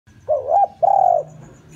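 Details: Decoy spotted dove calling to lure wild doves: a wavering two-part coo, then one long, steady, slightly falling coo held for about half a second, low and mellow, in a quiet setting.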